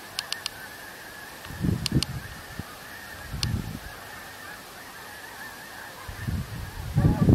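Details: Snow geese from an enormous flock on 17 November giving scattered, soft nasal honks in small bursts between quieter gaps, swelling louder near the end, with a few sharp ticking clicks.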